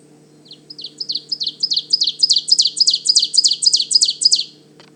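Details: Ovenbird singing in mature deciduous forest at the Manchester Cedar Swamp Preserve, New Hampshire, its "teacher teacher teacher" song: about a dozen rapid, high two-part phrases over four seconds, steadily growing louder with each repetition, in quiet woodland.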